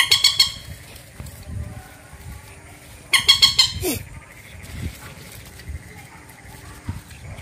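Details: A rail, known locally as bantiung, mandar or peruk, gives two short bursts of harsh, rapidly repeated high notes about three seconds apart, the second ending in a falling note, over quiet low background noise.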